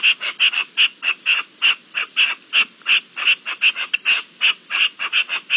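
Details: Partridges calling during the mating season, recorded on 27 April 2021: a loud, steady series of harsh, clipped chuck notes, about three per second, sometimes doubled, carrying over a quiet background.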